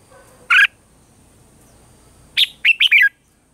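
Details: Red-whiskered bulbul singing a morning song in a mature, wild-forest voice, used as a lure recording for training caged birds: one bright chirp, a pause, then a quick run of four or five clear, slightly falling whistled notes.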